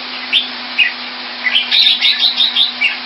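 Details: Red-whiskered bulbul kept caged in Singapore and coming into form: scattered single chirps build into a quick run of bright, evenly spaced whistled notes, over a low constant hum.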